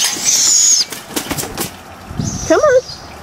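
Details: Four captive young barred owls in a humid yard in the morning, being hand-fed, give a thin, high hissing screech lasting under a second, then a wavering squeal, over a caretaker's quiet coaxing voice.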